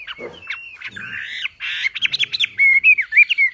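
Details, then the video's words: Javan pied starling singing in a masteran-style tutor recording with full 'tembakan' bursts: harsh rasping notes, then a rapid run of loud, clear whistled phrases, rising and falling slurs repeated several times a second. "MASTERAN BURUNG WAMBI FULL TEMBAKAN GACOR DOR"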